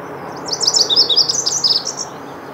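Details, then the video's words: A Lazuli bunting sings a quick, high, scratchy phrase of varied and partly paired notes lasting about a second and a half, over a faint steady hiss. "Lazuli Bunting song"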